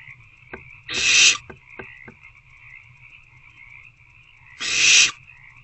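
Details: Owlets in a nest box, hungry and struggling with a rodent on a February evening, give two rasping hiss-screeches about four seconds apart against a constant high-pitched background whine and faint clicks.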